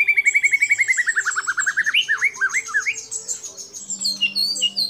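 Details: White-rumped shama used as a lure for other shamas, singing a rapid series of descending whistled notes that break into looping, rising-and-falling phrases, with high chattering above.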